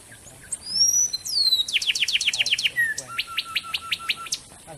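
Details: Wren song used as a training recording for magpie-robins. The wren is described as a bird of Central Mexico to Costa Rica that keeps to dense shrubs near small streams. Long high whistles give way to a fast series of sharp downslurred notes, then an even, repeated chipping trill.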